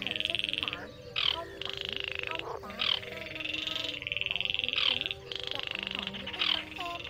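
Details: Night-time Baillon's crake giving repeated rattling trills, each about a second long and introduced by a louder burst, with croaking frogs and humming insects in the background.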